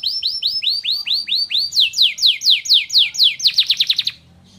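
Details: Canary song with borrowed white-eye (pleci) phrases, aimed at raising birds' emotion. Evenly spaced rising whistles give way to fast, descending high chips that speed up toward the end before the song stops abruptly.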